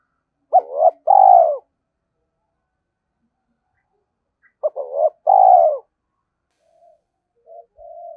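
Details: Calling decoy spotted dove: two phrases of quick stuttering coos leading into a longer, mellow, falling coo, about four seconds apart, with soft low murmurs at the end.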